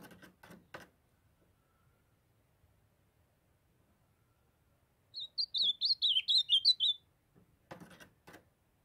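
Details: Young ultramarine grosbeak (azulão) from Brazil's Northeast, still in brown plumage, singing: a rapid run of about a dozen sweet, warbled whistled notes lasting two seconds, between brief bursts of clicking and tapping noise before and after.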